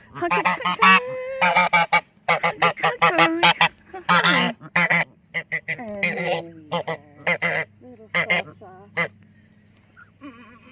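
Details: Easter, a mostly white male domestic goose at a bird rescue centre, greeted as a "little soft honker", gives rapid bursts of short, nasal honks, some soft and some louder, while a person talks gently over them.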